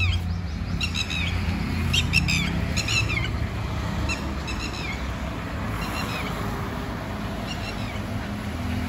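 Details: Red-wattled lapwing in Abul Fazal Enclave, New Delhi, India: rapid bursts of sharp, piercing notes, some closer and some fainter, scattered through a steady rumble of road traffic.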